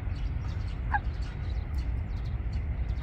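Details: At Wangsong Lake, a Eurasian coot pair starts building a nest among water plants. A brief sharp falling note comes near the start and another at the very end, over constant low background rumble.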